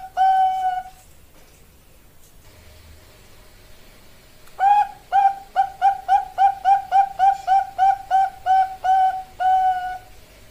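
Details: Bangkok zebra dove, female calling a male, a master and lure recording: one long sustained coo, a pause of several seconds, then a quick series of around fourteen short, regularly repeated coos ending in a longer note.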